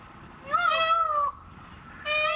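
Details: A group of peafowl gives loud, nasal, wailing cries: one rises and then holds for nearly a second, and a second begins shortly after, with a faint high whistle at the start; peafowl.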